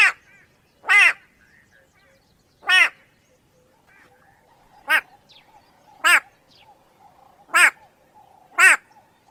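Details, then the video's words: White-bellied go-away-bird, a turaco, giving loud nasal bleating calls, each harmonic-rich and arched, spaced irregularly one to two seconds apart with quiet gaps between. "The extremely annoying sound of the White - bellied go away- bird"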